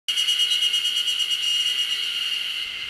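A Eurasian nuthatch gives a fast, even, high-pitched trill of roughly ten notes a second, held for nearly three seconds with no other sounds.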